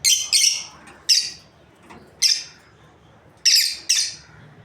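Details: Loud high rasping squawks from a lovebird breeding pair, a doubled call, single notes, then another close pair of harsh calls.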